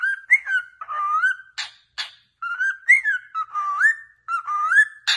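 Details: Cockatiel song meant for training a pet cockatiel to sing, with smooth whistled notes that rise and dip in short repeated phrases, punctuated by brief harsh chirps between them.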